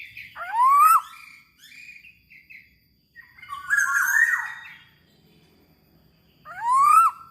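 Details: Kepodang, the black-naped oriole, in vigorous gacor song: a clear rising whistle, scratchy chatter, a harsh buzzy phrase, then the rising whistle again near the end.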